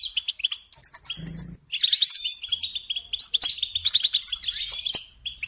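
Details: European goldfinch kept as a songbird: opening chirps, then a dense, buzzy twittering rush of notes, with a brief low thump early on.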